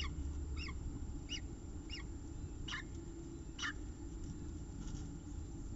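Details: Peregrine falcon calling at its nest with eggs, CSU Orange, afternoon of 5 October 2018; five or six short, sharp, chipping notes spaced about half a second apart, over steady low background hum.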